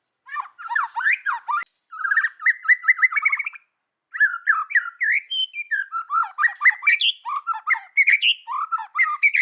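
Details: White-rumped shama singing in the forest-voice style, with gurgling 'kéo thuốc lào' phrasing: rapid, varied whistled and chattering notes in dense bursts, including a run of repeated rising notes, briefly pausing twice.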